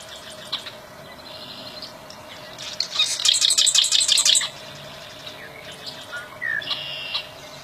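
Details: Wild bar-winged prinia giving a rapid run of sharp, high repeated chips for just over a second amid quieter scattered bird notes and a steady low background hum.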